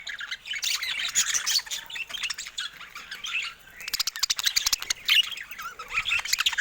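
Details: Budgerigars in their cage attack a camera; continuous squeaky warbling chatter is overlaid by rapid bursts of pecking clicks.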